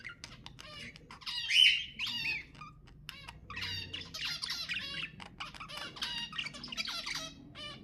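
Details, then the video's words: Pet budgerigar song made of buzzy, rattling chatter with clicks and nasal squawks, one sharp loud note early, then steady rapid warbling. "تحفيز طيور البادجي أقوى صوت بادجي تسمعه"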